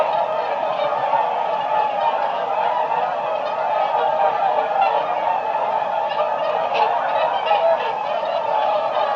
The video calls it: A Flock of Whooper Swans